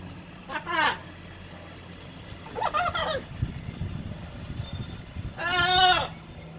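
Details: Playing blue-and-gold macaw gives three harsh, harmonic-rich squawks, the last longest and loudest, with a low background hum and soft rustling between calls.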